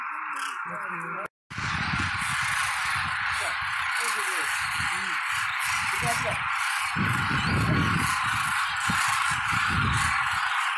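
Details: Thousands of demoiselle cranes circling before landing at a watering hole give low, rolling croaks that overlap almost constantly, over a steady hiss of strong wind.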